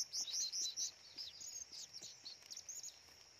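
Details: Blue-crowned hanging parrot in forest: a loud opening burst of shrill, very high squeaky chirps in quick succession, then fainter scattered twitters, about two or three notes a second, over a steady thin background hiss.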